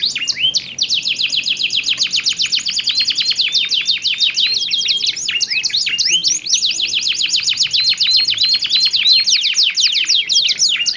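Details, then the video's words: Back-and-forth canary song from two lively males with different voices, meant to stimulate young canaries to practise: a continuous fast rattling trill of crisp notes running for seconds, overlaid with occasional slurred whistles. "SUARA KICAUAN KENARI GACOR SALING BERSAUTAN"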